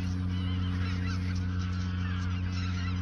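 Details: Autumn flock of geese at the Ochsenmoor nature reserve in 2022, days before heading south; continuous chorus of wavering honks from many birds above a constant deep hum.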